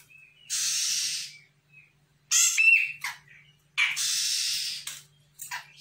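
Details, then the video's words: Untrained Sumatran grey-cheeked bulbul replying to a lure call with long, hissing, rough-textured notes alternating with a shorter harsh burst that ends in a clear nasal tone, with brief thin whistles between. "CUCAK JENGGOT SUMATRA GACOR - CJM BAKALAN AUTO NYAHUT"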